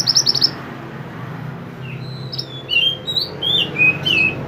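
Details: Mountain mantenan in full song, captured for training kept songbirds: a rapid high trill, a quiet gap, then a series of clear whistled notes that swoop up and down, over a steady low background hum.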